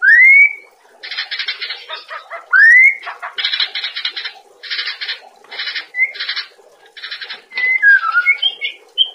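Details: White-rumped shama master song used for training cage birds: loud rising whistles alternate with harsh buzzy rattling bursts, then short twittering notes, over a steady low background hum.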